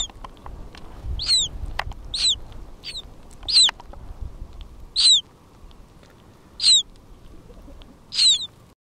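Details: ['Hudsonian godwit chicks calling from inside their shells while hatching, Churchill, Manitoba, July 2010, mother nearby. High thin slurred peeps, each bending up then down, come at irregular intervals over a steady rushing background noise.']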